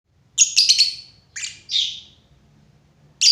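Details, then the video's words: Lovebird giving sharp, harsh chirps in a quick cluster, then two separate buzzy notes and a final abrupt chirp, all high-pitched with no other sounds. "lovebird // burung cinta"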